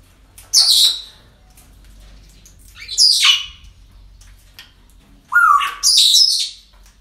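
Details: Parrots at a breeding centre: three loud, rasping, high squawks roughly every two to three seconds, the last doubled and sliding down in pitch.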